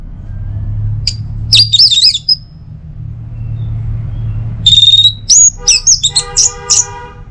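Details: Orange-headed thrush song, played in the morning to prompt other birds to sing: after a quiet start, bursts of high wavering whistles, then a longer run of pure whistled notes and buzzy harmonic phrases over a low hum.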